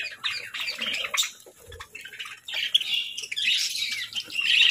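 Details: Kept parakeets at breakfast time giving scratchy high chatter and squawky chirps that build toward the end, with a short quiet gap and a soft thump midway.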